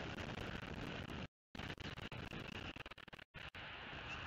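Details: Constant broadband hiss and rumble like wind or passing traffic, broken by two short dropouts of total silence; no animal calls.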